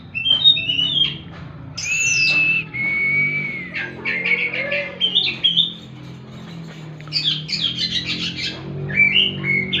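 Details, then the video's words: Oriental magpie-robin, called kacer, song used as bird therapy: bursts of sharp chirps and squeaky notes, a rising whistle and a long level whistle, then varied twittering phrases over a steady low background hum. "Tembakan burung kacer"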